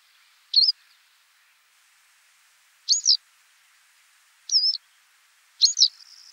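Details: Western yellow wagtail filmed in France giving four thin, high, slurred calls spaced unevenly over six seconds, each a brief wavering tsee note, with a faint background hiss.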